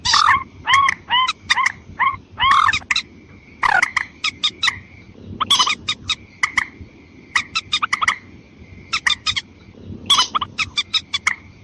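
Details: Long series of white-breasted waterhen lure calls for females and males, with loud rasping croaks in pulsing groups, then quicker clipped notes, and a faint steady whine behind.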